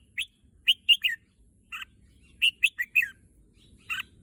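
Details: Red-whiskered bulbul kept caged in Thailand as a contest songbird, reportedly eager for the contest field, delivers rapid bright chirped notes in two quick bursts of three to four, then a lone note.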